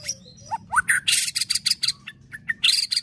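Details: Fighter-style white-rumped shama singing: quick upward-swept whistles give way to a dense burst of harsh, chattering and buzzy notes, then a few short chips and another rough flourish.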